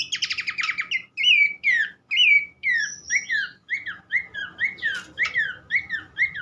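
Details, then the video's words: Horsfield's babbler opening with a rapid rattling trill, then a steady series of loud downslurred whistles, roughly two per second, each falling sharply in pitch. "gacor burung pelanduk semak"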